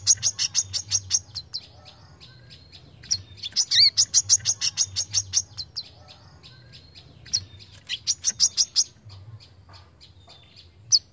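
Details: Brown-throated sunbird giving a sharp, rapid 'besetan' song used for tutoring other songbirds: bursts of very high, piercing chips repeated about three per second, with brief gaps between runs, over a faint low hum.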